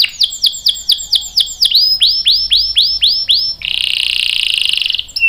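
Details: Canary lure song meant to set other canaries singing: a run of arching swept whistled notes about four per second, followed by a fast dense buzzy trill.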